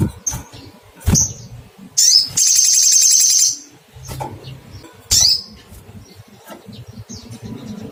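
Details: Sogok ontong, a little spiderhunter, calling in search of a rival, with sharp high chips around a sustained shrill rattling trill lasting about a second and a half, plus a steady low hum underneath.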